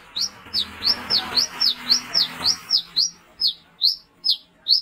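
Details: Brown-throated sunbird used as a night-time lure, giving a rapid series of piercing high chirps over a murky background of mixed noise that clears toward the end.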